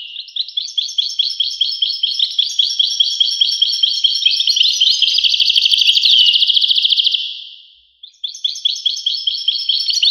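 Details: European goldfinch singing a long, continuous stream of rapid, liquid twittering and tinkling trills. The song briefly fades out near the end, then resumes with the same bright chatter.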